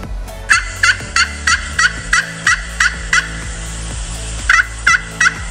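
A turkey gives a run of sharp, evenly spaced gobbling notes, about three a second, then a brief pause and a few more, over soft background music.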